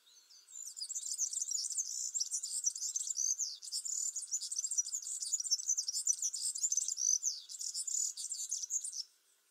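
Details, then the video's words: European serin song: a fast, unbroken jingling of high, squeaky, buzzy notes that runs for about eight and a half seconds without a pause. No other clear sounds are heard. "Vogelstimmen: Der Girlitz - Serin - Serinus serinus"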